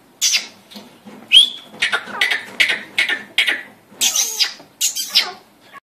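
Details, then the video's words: A grey francolin gives a string of loud, harsh, rasping syllables, roughly two or three a second, in an uneven, rhythmic series. "Gery partridge francolin calling"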